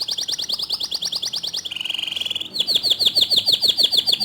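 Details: Canary singing to draw other canaries into song: a rapid high trill, then a tighter buzzing roll, then a new trill of sweeping notes that fall sharply, all loud and steady.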